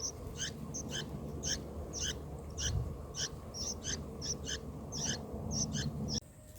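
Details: Bulbul nestlings in the nest being fed by a parent on their fourth day, giving short high squeaky begging calls repeated rapidly, about three per second, over a steady low rumbling background noise.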